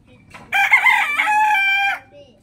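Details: Rooster in the morning giving one full, strong crow of about one and a half seconds, rich and harmonic, steady through the middle with a slight drop at the end. A faint short call precedes it.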